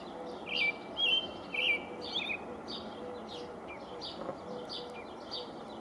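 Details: On 5/6/19 a male American robin atop a pine tree sings to hold his territory: several loud, rich whistled phrases in the opening two seconds, then softer, more distant-sounding phrases trailing off.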